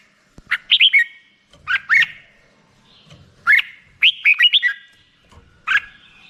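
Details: Black-crested bulbul phrases of quick, slurred chirps in small clusters, separated by pauses of about a second, sounding clear against a quiet background.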